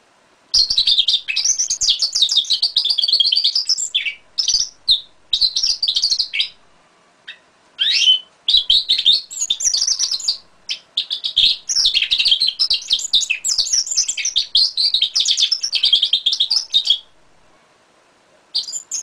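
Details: A 5-month-old goldfinch × canary hybrid sings long bursts of bright, twittering trills and rapid chirps.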